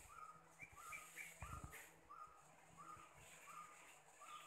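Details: Sri Lanka drongo, an endemic, in Sinharaja rainforest, Sri Lanka, giving short, clear whistled notes, some rising, repeated about every half second, over a steady hiss of forest insects.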